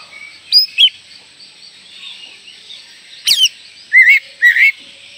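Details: Oriental magpie-robin lure song for young birds: a few sharp chirps, a brief quiet stretch, one harsh burst, then paired upslurred whistles near the end.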